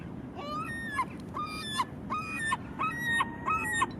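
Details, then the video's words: Herring gull calling in a series of drawn-out, clear, wailing notes, each rising then dropping sharply, about five calls in four seconds over a low rumbling background. "Herring Gull"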